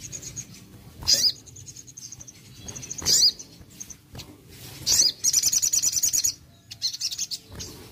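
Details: Crested jay, used to coax a lazy bird into calling; high, thin whistles broken by sharp chip notes, then a quick rattling string of rapid repeated ticks and further whistles.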